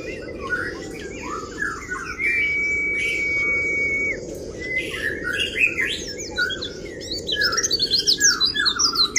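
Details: Oriental white-eye giving full kriwik song to rile rival birds: scattered sweet chirps, a two-second held whistle, then lively chirping that quickens into a rapid stream of high, sharp twitters, with low hum beneath.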